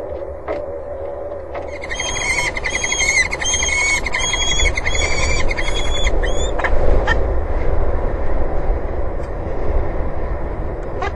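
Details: At a peregrine falcon nest on a water tower in Axel, between March and May 2011, a few seconds of rapid, harmonic chattering notes, then the calls stop and steady low rumbling noise and scattered clicks fill the rest.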